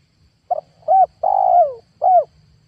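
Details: Lure call of a spotted dove, used in 2022 for catching wild doves. It is one clean phrase: a clipped stuttering note, a short coo, a long smoothly falling coo and a final short coo, with only faint low rumble behind.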